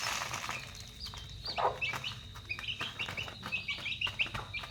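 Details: Chicks at dinner time, a busy chorus of high, short peeps and chirps, many dropping in pitch, coming thick and fast over a steady high whine and soft knocking.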